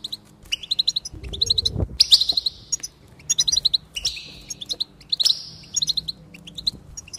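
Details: Goldfinch song played to encourage singing: clusters of fast high twitters alternating with drawn-out buzzy, nasal trills, with a soft thud near the start.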